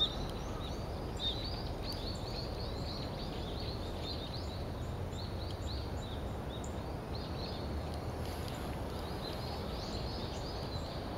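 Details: Male yellow-throated bunting giving short, thin, high chip notes, repeated irregularly and faintly over about eleven seconds against a steady low rumbling background noise.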